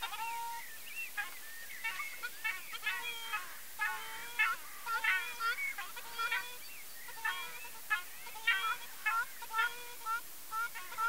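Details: Ruddy shelduck (Tadorna ferruginea), call.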